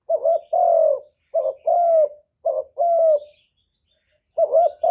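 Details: Decoy spotted dove giving contest coos toward a wild bird: a short clipped note followed by a longer, drawn-out, slightly falling coo, repeated three times, then a pause before another short pair.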